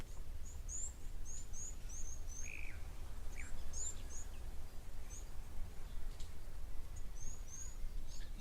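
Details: Blue waxbills (Uraeginthus angolensis), very close to the camera in thickets by an African waterhole on a morning, give very high, thin, short tseep notes in quick irregular series over steady low rumbling background noise.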